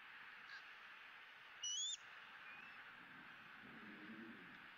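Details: Bald eagle eaglet E9 on a Southwest Florida nest cam, squealing with joy at a feeding with the day's second fish, 20 April 2017: one brief, thin, high squeal, slightly rising, about a third of a second long, over steady hiss.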